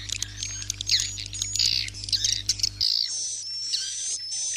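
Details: Edible-nest swiftlet roosting lure sound for swiftlet farming: scattered sharp chirps and twittering notes, then smoother buzzy bursts with a faint high whistle, over a low electrical hum that drops off partway.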